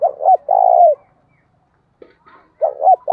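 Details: Spotted dove decoy calling to provoke rivals. A hoot and a long buzzy coo, a pause with a soft click and faint twitter, then the next phrase begins with its two short hoots and rising sustained note.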